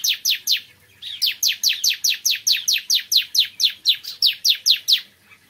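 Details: In the morning a bar-winged prinia delivers a long, steady series of about eighteen loud, high, downward-slurred notes, roughly three per second, after a brief opening burst of three.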